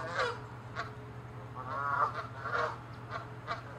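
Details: Canada geese fighting over territory; a handful of moderate honks spaced about half a second apart, some slightly nasal and wavering, against a steady low background hum.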